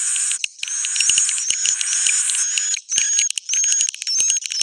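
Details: Swiftlets calling in a roost-attraction recording (suara inap). Shrill, rapid chittering and twittering run in near-continuous bursts with quick clicks and short rising whistles, ending in choppier fragments.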